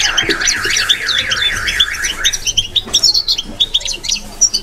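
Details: Batbata song of a European goldfinch opening with a rolling, wavering trill, then shifting to rapid sharp twittering notes in short bursts.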